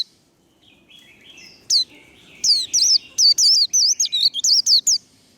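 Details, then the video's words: Caged warbling white-eye giving the líu fighting song used in singing contests. Faint thin chirps lead into a rapid string of bright, wavering high whistles, each note short and separated by tiny gaps. "Vành khuyên líu đấu. Khuyên líu kích bổi. Kích lửa vành khuyên líu đấu"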